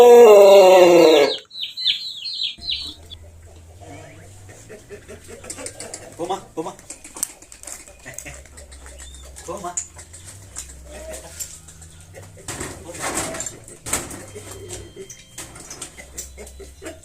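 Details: Boma, a two-time contest-champion Pelung rooster from Karangkabur, Purbalingga, Indonesia, ends a loud, rich crow with a falling, drawn-out tone, followed by soft music.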